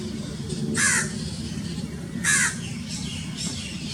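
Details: House crow (grey-necked crow) in Pakistan giving two loud, rasping caws about a second and a half apart, with fainter calls between them and a constant low hum beneath.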